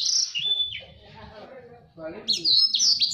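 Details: Blacksang, a blackthroat and sanger hybrid, in loud rapid chattering song used as master song for training canaries: high trills and slurred notes, a fainter warbling pause in the middle, then a fast burst of sharp high phrases.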